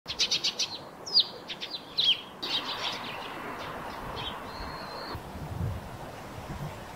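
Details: Eurasian tree sparrow singing near its nest on a roof: a quick burst of bright chirps, then sharp separate high notes and one thin drawn-out whistle, over a steady background hiss.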